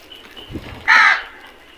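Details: One crow from a feeding flock gives a single loud, harsh, drawn-out caw lasting about a third of a second, after faint calls and a soft thump.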